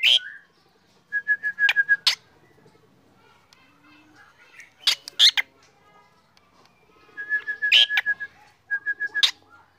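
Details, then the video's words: A black drongo in full morning song gives clusters of rapid, identical clipped notes mixed with sharp, harsh bursts, separated by quieter pauses with faint background murmur. "Srigunting hitam gacor"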